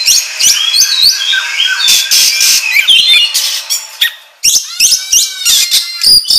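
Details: Oriental magpie-robin singing a ngobra-style training lure: a loud chattering warble of high squeaks and harsh notes, a short quiet gap, then rapid clipped chirps repeated about three times a second.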